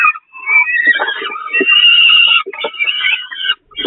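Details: Peregrine falcons at the Catharinakerk nest, begging while being fed on the nest grating on 11 May 2021: harsh, grating, wailing cries in long overlapping bursts with short breaks and soft lower scuffling sounds between calls.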